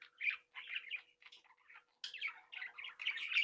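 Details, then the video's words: Several captive Budgerigars from a breeding flock in lively chatter: rasping, warbled squawks and chirps, a brief gap at two seconds, then a louder dense burst, over a soft electrical hum. "Sonidos de Mi Cría de periquitos Australianos"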